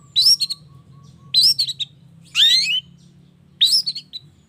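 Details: Long-tailed shrike lure sound in the morning, used to make other shrikes call: four scratchy high bursts, each a sharp slur followed by quick clipped notes, roughly every 1.2 seconds over a faint low hum.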